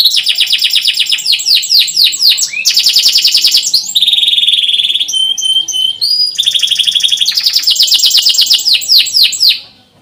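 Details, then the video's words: Canary singing continuously to encourage young birds to start singing: dense fast trills of descending sweeps, a held buzzy roll, brief whistled pips, then more rapid trilling before fading out. "Kenari gacor panjang cuit cuit,pancingan kenari paud AGAR Bunyi"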